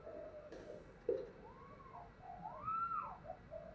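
A spotted dove gives soft, hollow coos, two smooth arching notes that rise and fall, over a faint background hiss.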